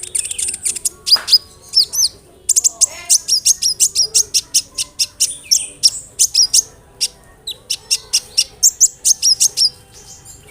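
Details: Olive-backed sunbird song intended to make other sunbirds respond: a long, lively stream of sharp, high chirps and tinkling notes, repeated rapidly with small warbled turns.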